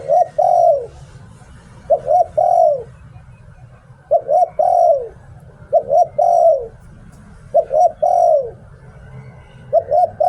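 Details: Spotted dove used as a decoy, in 'Liu Tan' style, cooing steadily with about six phrases roughly two seconds apart, each a quick paired coo and a longer descending coo, with a low hum underneath.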